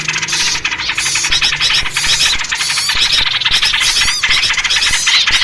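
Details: Noisy yellow-vented bulbul chorus meant to lure birds for trapping: overlapping high, scratchy squeals and rapid chattering notes fill the whole stretch without pause, with a faint low hum in the background.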